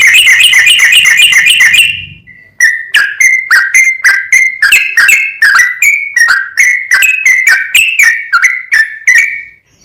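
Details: Sooty-headed bulbul in 'gacor full ropel' training song. It opens with a brief buzzy, harmonic-rich trill, then after a short gap a rapid run of crisp clicking whistles, each note rising or falling, about three per second.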